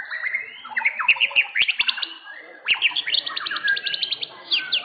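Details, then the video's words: Caged blorok-type white-rumped shama, the first-place winner at an Indonesian singing contest, pouring out fast varied song: sliding whistles and rapid staccato notes in quick bursts, with sharp clicks and other contest birds audible. "JUARA 1 KELAS MURAI BATU BLOROK"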